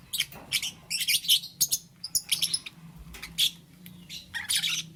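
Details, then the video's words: Lovebirds of green, yellow and lutino colours, kept as pets, chirping in the morning: quick bursts of sharp, high, rasping chirps and squeaky notes, clustered and uneven, with a steady low hum underneath. "Lovebird Chirping Sounds"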